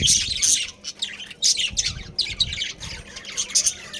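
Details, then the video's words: Budgerigars, a breeding pair with family in a colony, chattering in dense bursts of high, scratchy chirps and squawks, several birds calling over one another with short pauses between bursts. "Budgies Breeding Pair | Budgies Family"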